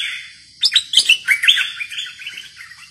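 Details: Caged bulbul singing in fierce style: a burst of bright, rapid, chirping notes, warbled up and down, in a quick jumbled phrase of about two seconds that fades at the end.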